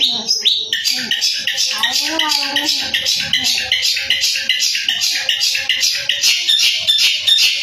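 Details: Young long-tailed shrike from Madura, Indonesia, singing a dense, fast stream of high chattering and scratchy notes, repeated roughly every half second, with brief lower warbled phrases early on and faint background music.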